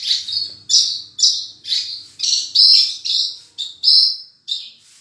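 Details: Horsfield's bush lark, gacor song with full isian: loud, separate high chirps less than a second apart, some with a piercing whistled core, over a faint low background murmur.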